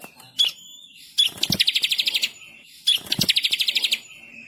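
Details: Energetic masteran song of a bar-winged prinia: sharp high note, short pause, then a rapid rolling trill of about ten buzzy pulses, the whole phrase repeated twice.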